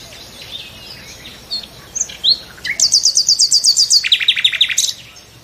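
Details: A nightingale gives a few slurred whistles, then a rapid high rattle of about ten identical notes followed by a lower run of loud repeated chopping notes.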